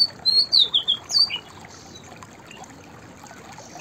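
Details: White-browed fantail delivering one quick phrase of five or six high, clear whistled notes with slurred downward glides, followed by quiet background hiss.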